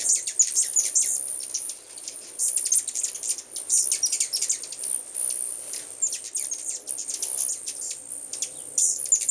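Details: Many hummingbirds present at once at a new home, giving dense bursts of thin, high, clicking chips, irregular and overlapping, with a constant shrill hiss running underneath.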